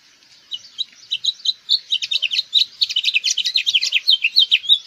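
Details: Busy, rapid twittering of house finch song over a hiss of background noise, the slurred notes packed densely and building in loudness across five seconds.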